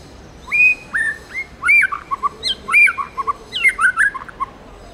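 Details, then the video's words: Forest-style singing by a tamed white-rumped shama: whistled notes about one per second mixed with rich warbled bursts and high sharp accents, varied throughout, over steady faint background noise. "Chích chòe lửa hót giọng rừng hay"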